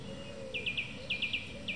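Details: Evening song of a song thrush: short, bright chirping notes in quick groups of three, the group repeated twice and then a single note, over a quiet murmur of low background noise.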